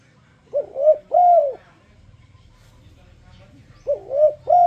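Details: Spotted dove giving its enticing lure song, meant to make other doves sing along: two mellow, rounded coos, a quiet pause of over two seconds, then two more coos; low background hum.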